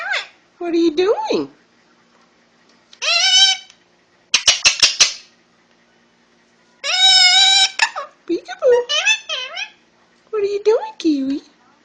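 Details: A young male Indian ringneck parakeet, barely a year old and just starting to talk, kept as a pet indoors, giving squeaky mimicked phrases, a rapid rattling burst and wavering chatter in separate bursts.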